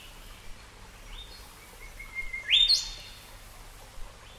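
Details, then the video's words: Golden Whistler from Australia, a soft steady whistled note building into a loud rising whip-crack ending, then a brief faint whistle, over low background hiss. "Golden Whistler"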